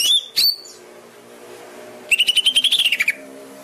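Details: Greater green leafbird master song, used to train caged birds and coax silent ones into singing: a sharp whistled phrase near the start, a pause, then a fast run of about fifteen bright, clipped notes that dips at the end.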